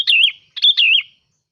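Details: Bulbul used as a decoy sings two quick, liquid warbled phrases in succession, each a rolling whistle that falls and rises, loud and clear.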